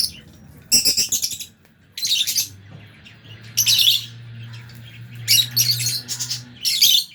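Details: Aviary lovebirds, Albino and Fisher's, eating alongside budgies, chatter in loud bursts of shrill, squeaky chirping about every second or two, with quiet gaps between and a faint low hum.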